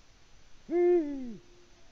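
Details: Unanswered mate call from a male Eurasian eagle-owl, Latvia, early evening of 6 March 2019, captured by a live camera; a lone deep hoot, steady at first, then bending lower before stopping.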